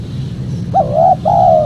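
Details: A single spotted dove coo, used to lure wild doves and to train cage birds: a sharp rising note running into a long level hoot, a brief pause, then a second drawn-out falling hoot, over low rumbling noise.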